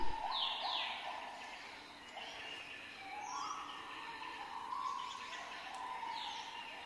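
Pin-tailed whydah giving a run of squeaky, chirping notes and short sliding whistles, some rising, with steady low background noise throughout.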